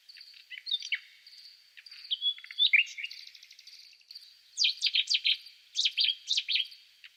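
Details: Quieter nightingale singing: varied whistles and chirps, then clusters of sharp, rapid notes repeated in small groups, with a continuous thin high tone behind.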